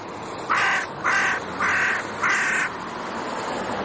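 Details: Crows from a family group back on their territory in October, autumn: four harsh, evenly spaced caws about half a second apart, over steady outdoor background noise.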